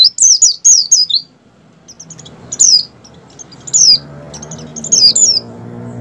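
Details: Song of an Oriental white-eye in breeding condition, played to coax caged white-eyes to open their beaks and sing: a rapid burst of high descending whistles, followed by short spaced phrases of similar notes over a low background hum.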